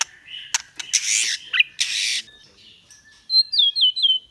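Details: White-rumped shama singing harsh raspy bursts and short whistles, then after a pause a series of three swooping whistled notes.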